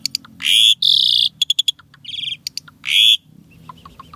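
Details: Asian pied starling delivering a song rich in unique borrowed sounds: loud grating screeches, quick ticking notes, a buzzy trill, and soft chips toward the end.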